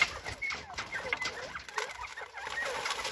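Northern bobwhites keep up a busy stream of soft, overlapping clucks and short chirps from several birds at once, with a faint steady background hiss.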